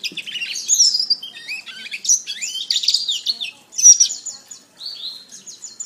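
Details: Canary master song used for training other birds: a rapid run of high, sweeping whistled notes and buzzy slurs, with brief pauses between rising and falling phrases.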